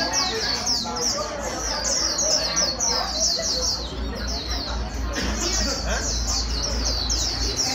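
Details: Rapid white-eye song for training a wild-caught 'bổi' bird to sing fast: about three high chirps a second in irregular bursts, with scattered lower sounds and a persistent low hum underneath.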